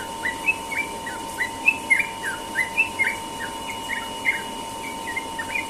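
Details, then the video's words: Sooty-headed bulbul morning song in ropel style: a steady chain of quick, liquid chirps and short slurred whistles, roughly three per second, set against a faint continuous hum. "burung trucukan ropel pagi"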